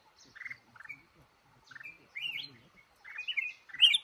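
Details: Male red-whiskered bulbul caught in a trap, cashew garden: short buzzy double notes followed by bright rising whistled flourishes, ending in a loud sharp phrase.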